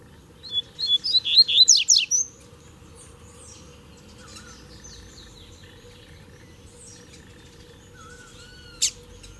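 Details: Rusty-collared seedeater males, three arriving at once to duel: a short burst of high, rapid twittering notes, then quiet with scattered faint chips and a single sharp high note near the end, over a steady low hum.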